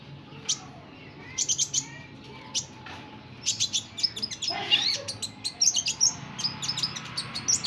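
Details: Sunbird, called kolibri ninja or burung konin, producing rapid, very high chirps and twittering bursts that grow busier toward the end.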